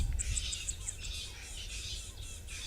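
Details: Rattling Cisticola on a sunrise safari drive, a bird that arrives only after very heavy rains, giving about six quick, high, dry ticks in a row, over a strident insect buzz that is not the bird, and a low rumble.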